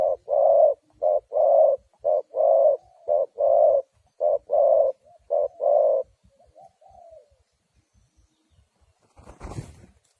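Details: Spotted dove calling as a lure for trapping wild doves, giving a steady run of deep, hollow coos, short notes alternating with longer ones, about one per second for six seconds, followed by quiet and a sharp clattering noise.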